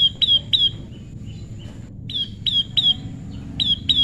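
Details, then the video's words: Prinia in natural pairing, described as tame: quick series of sharp, down-slurred chirps, about three per second, with brief pauses between bursts over a quiet low background hum. "prenjak lumut jodohan alam/prenjak jinak/prenjak bawah/prenjak putih"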